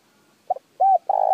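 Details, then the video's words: Spotted dove call played to stimulate other doves to call: a short soft double note, then two low hollow coos, the last long and steady. "Tiếng chim cu gáy kích bổi nhanh nổi"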